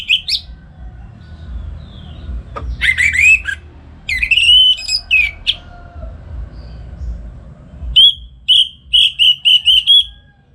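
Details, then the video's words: Orange-headed thrush at home in Singaraja, Bali, singing in the morning for training other songbirds: varied whistled and warbled phrases with a sharp click, ending in a run of about six evenly spaced bright notes. "Pagi Hari Hari ANIS MERAH Ngeplong Gacor Untuk Pancingan & Masteran Burung Dirumah"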